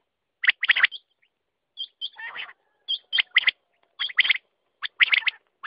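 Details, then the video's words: Quail call sequence of grouped harsh chirps, each cluster led by a small curling whistle, repeated at about one-second intervals with a brief buzzy chatter between. "Batair ka awaz"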